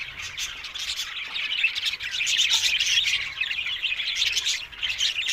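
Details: A flock of green ringneck parrots keeps up a loud, unbroken, high-pitched chattering and screeching that swells toward the middle and eases slightly at the end.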